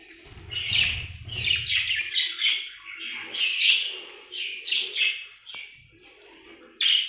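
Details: A happy budgerigar keeps up a lively run of chattering chirps and short warbles, closely spaced and varied in shape. There is a brief low rumble near the start, and a final bright chirp at the end.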